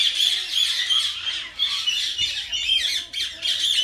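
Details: Pet common myna, tame, talking: bursts of scratchy squawking and chattering with shrill whistled flecks, broken by short pauses, plus faint soft arched low notes running underneath.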